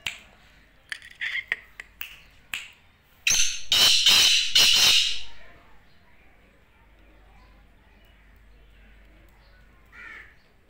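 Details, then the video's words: Black francolin calling: a few short harsh clicks, then a loud run of rasping, grating bursts over about two seconds, followed by quiet background with a faint distant call near the end. "Black teetar ki awaz Kala teetar ki awaz"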